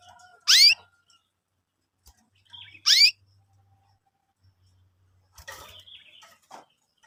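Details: Young canaries chirping, used as lure material for training canaries: two loud, sharp, downward-sweeping chirps about two and a half seconds apart, then faint scattered twitters.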